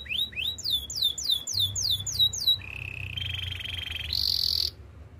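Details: Canary song for training: rapid repeated rising-and-falling whistled slurs, then a steady trilled note, then a harsh buzzy high phrase, over a low background hum.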